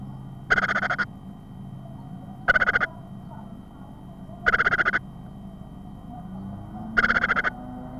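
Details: Great tit chick in a nest box on 25 April 2010 at 14:16, receiving its first feeds; short bursts of rapid pulsed chirps recur about every two seconds over a low steady hum.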